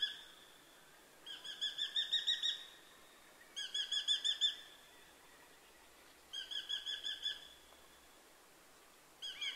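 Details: Eurasian hobby calling from further off: four separate bursts of fast, high ringing notes, each about a second long with pauses of one to two seconds between, against faint background hiss.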